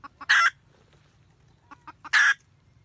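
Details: Red junglefowl hen guarding her nest and cackling for the male, recorded 2020-2021. Short clucks precede two loud, rasping cackle notes less than two seconds apart.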